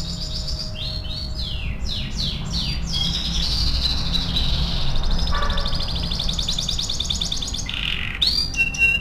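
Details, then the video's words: Canary singing for song training: rapid sweeping chirps, then a long fast buzzy trill, a low brief rattle, and a final sharp high note, with constant low background hum. "MASTERAN KENARI AF GACOR"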